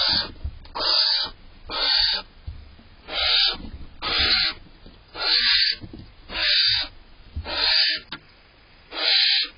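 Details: A female barn owl in a nest box on June 18th gives harsh, breathy hissing screeches, about eight half-second bursts roughly every 1.2 seconds, annoyed as the male eats cached prey; faint low hum between.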